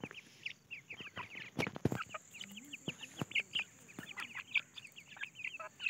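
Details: Grey francolin chicks searching for food give a steady stream of thin, high peeps, several birds overlapping, with sharp taps and clicks and a faint low hum beneath.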